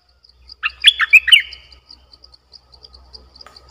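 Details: Caged decoy bulbul recorded 18 December 2021, used as a luring bird: one short burst of rich, bubbling warbled notes lasting about a second, over steady faint insect ticking.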